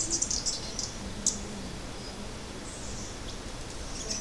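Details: At Copalinga bird lodge, Ecuador, tanagers give thin, very high chips and short sibilant notes, scattered irregularly with a sharper note near the middle, over a soft low rumble.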